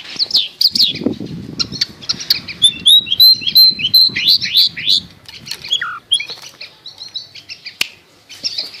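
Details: Long-tailed shrike singing a varied, high medley of chirps, short whistles and squeaky notes. It is meant as a trigger for a silent shrike. A low rustle comes in the first second and one falling note near six seconds.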